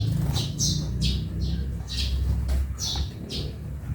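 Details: Sparrows in a backyard give short, bright chirps in uneven bursts, roughly seven notes over four seconds, over a steady low rumble.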